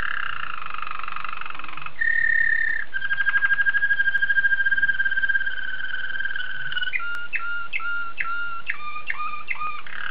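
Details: Belgian Waterslager canary (Serinus canaria domestica) sings a low, sustained series of rolling tours and water-like bubbling trills, ending in short repeated notes, over a steady background hiss.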